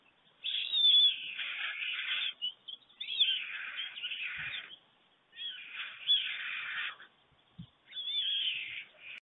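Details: Dawn greeting at a German nest, 24 June 2020, 5:38 a.m.: two adult white storks clatter bills as one arrives with food for their storklet; four long, dry rattling bouts separated by short pauses.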